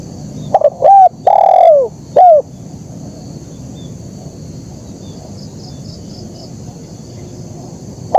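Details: Zebra dove in a KUK 1 style song: a quick cluster of four short, low, bent cooing notes within the first two and a half seconds, followed by near silence over faint hiss.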